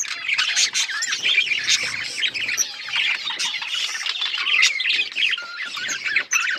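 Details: Australian parrots chirping together make a thick, high, scratchy chatter, with sharp squawks poking out of the continuous twittering.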